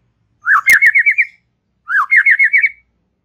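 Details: White-rumped shama in relaxed chatter, used to stimulate young and wild-caught young birds. Two identical phrases, each a rising upslur into a rapid wavering trill of about six pulses, about a second and a half apart, with a sharp click between.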